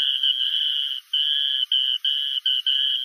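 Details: A tiny grassland rail with an orange crown, white-spotted upperparts and pink legs, ranging from Costa Rica to southern Brazil, gives a high, fast, slightly musical descending trill in a long run, then shorter bursts broken by pauses.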